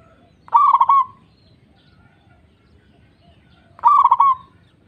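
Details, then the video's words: A local Zebra dove sings as a lure meant to prompt other doves to sing; it gives two short, rolling, trilled coos about three seconds apart against a quiet background. "Pancingan Ampuh Perkutut Lokal Gacor"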